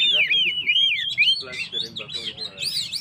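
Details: Oriental magpie-robin singing to rouse stressed birds: clear looping whistled phrases rising and falling, then buzzy chattered notes and high arched whistles toward the end.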